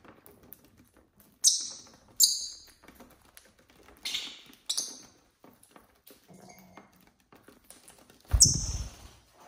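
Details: ['Home-kept lovebirds, six birds in mixed colours, on a lazy Saturday: short shrill screeches at irregular intervals over constant light tapping and pattering, ending in a louder squawk with a dull thump.']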